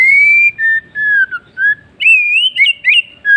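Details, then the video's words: White-rumped shama in afternoon song, pure fluting whistles sliding between steady and wavering notes, a rising trill-like phrase in the middle and a final clear whistled note. "MURAI BATU bird singing in the afternoon"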